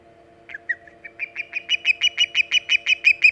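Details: Osprey coming in to its nest on Hog Island at 5:37 am EDT, 13 August 2019; a few hesitant, separated chirps build into a faster, louder series of ringing whistled notes, about three per second, over soft hum.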